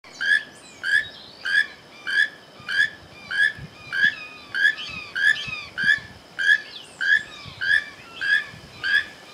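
A keel-billed toucan gives a harsh, creaky croak over and over, steady at about one and a half calls per second, against faint background hiss.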